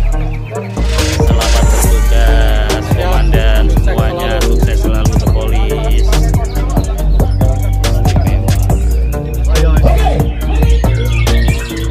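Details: Loud, bass-heavy music with rapping and drums fills the whole recording, with no animal voice standing out.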